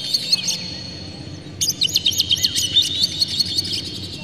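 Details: Oriental magpie-robin full emotional song with open tail, used to make other magpie-robins sing: soft high notes, then a fast run of harsh, rhythmic chattering over background hiss.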